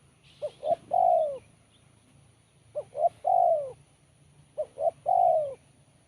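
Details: Sharp, crisp song of a spotted dove. Three identical phrases, each two brief clipped coos and then a long, strong coo sliding downward, repeated roughly every two seconds over a low background hum.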